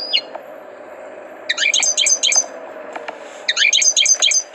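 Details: Song of a trained European goldfinch, given as two brisk bursts of tinkling, high chirps separated by a pause of about a second, over a faint steady hum.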